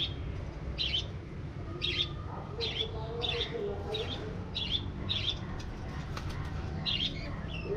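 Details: Budgerigars in an aviary, a series of brief high chirps repeated roughly every 0.7 seconds, fairly regular, over low background rumble and faint chatter.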